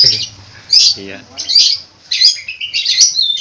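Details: Long-tailed shrike producing loud bursts of high scratchy, chattering mimicry, each lasting about half a second, with a brief low sound near the start.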